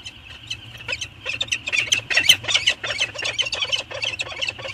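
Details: Pair of wild peregrine falcons on Anacapa in 2019, chatting while circling each other in the morning: rapid, harsh, scratchy notes repeated about two to three per second, growing louder mid-clip, over a steady high hum and low rumble.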